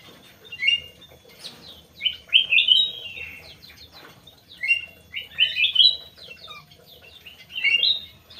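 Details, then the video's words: Aviary-kept crewet repeating a short, bright twittering phrase of quick rising and falling chirps about every two and a half seconds, with quiet gaps between the bursts. "BURUNG CREWET"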